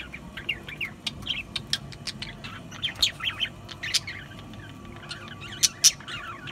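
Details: Budgies make soft warbled chirps and scattered sharp clicks, with two louder high squeaks near the end. The background noise is quiet and steady.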